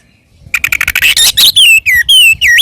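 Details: Oriental magpie-robin, a fighting song meant to provoke other magpie-robins: a quick run of sharp chirps, then loud whistled notes that slide down and rise again, with a clean background.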